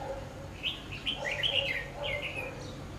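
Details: Red-whiskered bulbul used as a decoy at a trap, singing bright, warbled chirping phrases clustered over about three seconds. Fainter lower notes sit beneath, over a steady outdoor hiss.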